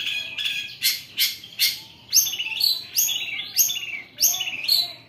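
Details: Long-tailed shrike singing kaca kaca with rough bessetan phrases. It opens with harsh broadband scratchy notes, then gives repeated high, falling, glassy notes in quick bursts about every half second.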